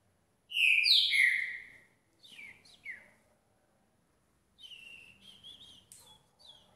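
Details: Young caged green-winged saltator after a cold bath at 6 °C: a strong three-note descending whistle followed by softer, shorter whistled notes and a thin wavering phrase.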